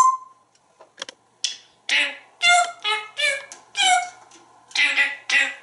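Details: Pet African grey parrot, male, hatched in 1997, living in a home in Texas, singing and mimicking speech: a soft whistle, clicks, then a string of rhythmic speech-like syllables repeated in a sing-song beat, indoors.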